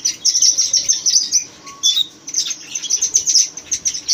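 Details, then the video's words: Red-rumped parakeets chattering in fast high chirps, with a clear short whistle midway and a brief pause before the chirping resumes. "Chirping Red Rump parakeets"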